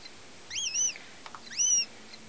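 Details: Young female goshawk, a German x Finnish cross hatched in 2009, in her first year, gives two thin, high whining calls about a second apart, each arching up then slurring down, with a soft click between them over quiet background.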